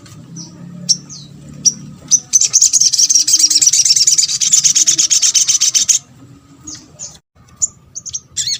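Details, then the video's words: Lure call of a crimson sunbird (sogok ontong), meant to stir other sunbirds into answering: scattered sharp high chips, then an extended buzzy, very high twittering run of about four seconds, then more isolated chips. "MUDAH BIKIN SOGON ( sogok ontong ) LAIN BUNYI GAMPANG RESPON"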